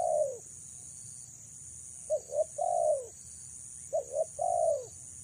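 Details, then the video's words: Female spotted dove calling to lure males: two phrases, each of two short quick coos followed by a longer, drawn-out coo that falls in pitch. A steady high electronic hiss runs throughout. "BURUNG TEKUKUR BETINA PREM4N MENGH4JAR PIKAT‼️"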